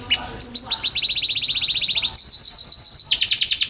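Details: Champion canary in full song: a rapid, machine-gun trill of upswept notes, about a dozen per second, then a louder, higher trill at a new pitch, all very bright and clear.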